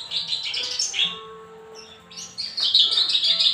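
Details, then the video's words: Caged Javan bush lark under training care, giving bright chirping phrases high in pitch, a burst at the start and a denser run of twittering notes in the final second. "Branjangan Parva rawatan"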